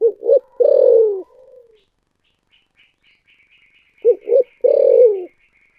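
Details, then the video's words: Spotted dove cooing in the thổ sấm style, two clipped hoots then a drawn-out falling coo, repeated after a pause of about three seconds; faint high chirping fills the gap. "cu gáy giọng thổ sấm thúc gù"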